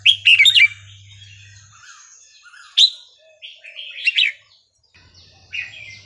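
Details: A captive red-whiskered bulbul sings Burmese-style local song, played to teach young birds and excite others: bright, liquid warbled phrases in short bursts about every one to two seconds, over a faint low electrical hum.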